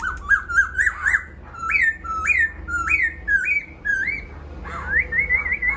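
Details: Laughingthrush song, called khướu bổi, recorded indoors: a run of loud whistled notes, each rising then dipping, repeated about twice a second. Some are slurred upward, and the phrasing is slightly irregular.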